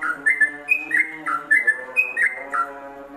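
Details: Yellow-vented bulbul singing ropelan style for songbird training: crisp whistled notes in quick rising and falling pairs, repeated several times, over steady low tones in the background.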